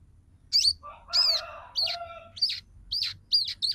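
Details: Female crimson sunbird calling to attract a male and bring him into song and breeding condition; a quick series of sharp, high chirps, with lower wavering tones mixed in near the start.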